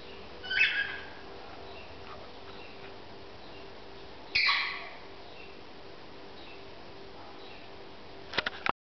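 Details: Pet cockatiels kept together indoors giving two harsh, raspy screeching calls about four seconds apart, each short and loud, over a steady low hiss, with a few sharp clicks near the end.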